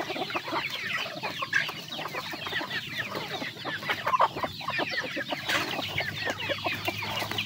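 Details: Chickens eating together: rapid overlapping clucks and thin chirps merge into a constant chatter, broken by sharp pecking clicks and a few louder squawks.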